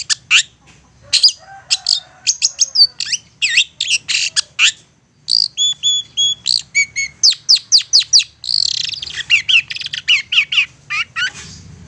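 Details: Long-tailed shrike singing insistently as a lure for other shrikes to answer: varied sequence of sharp chirps, rasping bursts and paired whistled notes, ending in a rapid chattering trill, continuous for most of the stretch.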